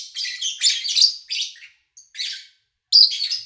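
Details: A lovebird recorded in August 2019, during the daytime and with little human noise, chirps in a rapid run of harsh, high, buzzy chatter in half-second bursts with brief pauses.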